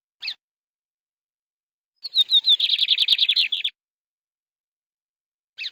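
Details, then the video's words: Canary with a single short chirp, then a phrase of descending whistled notes running into a fast buzzy trill of repeated syllables, followed by silence and another lone chirp. "The sound of a canary bird"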